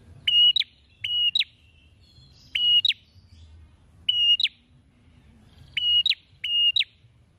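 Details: A prinia calling constantly with its beak open wide repeats a level high whistle ending in a pair of fast falling chips. The phrase comes about six times, sometimes in quick doubles, over a soft low rumble.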